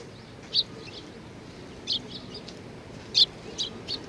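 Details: Sparrows arriving to be fed at a Tenmangu shrine in late April 2019: brief high chips in small clusters, separated by pauses, above a constant low hum of ambient noise.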